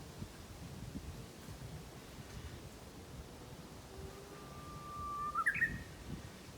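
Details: Japanese bush warbler singing in spring near a rural mountain path, heard close by while walking; after quiet ambience, one long steady whistle is followed by a quick rising, warbled flourish near the end, faint against soft background noise.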